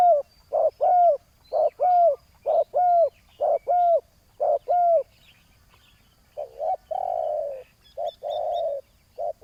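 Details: Spotted dove calls during ground decoy hunting of a loud-voiced rival: a steady run of arched, hollow coos about twice a second, then a pause and longer purring coo phrases, with faint high twitters.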